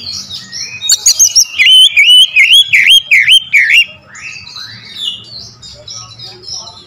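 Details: Oriental magpie-robin song used as a lure: loud, varied whistled phrases, a run of bright rising-and-falling slurred notes repeated about twice a second, then softer buzzy sweeping notes, faint low hum behind.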